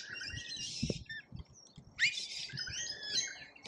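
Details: Lorikeets in a feeding frenzy at a feeder in Australia, filmed by a feeder camera: two bursts of shrill, buzzy chattering screeches with scattered high chirps between them, and soft low knocks and bumps from the feeder.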